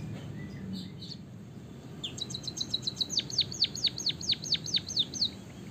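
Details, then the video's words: Singing white-headed Javanese munia with canary-style fill, rolling long: a brief chirp, then a rapid high trill breaking into a regular series of steep descending whistles, roughly two per second, with faint low hum behind. "suara burung emprit peking bondol kaji gacor isian kenari ngeroll panjang untuk masteran"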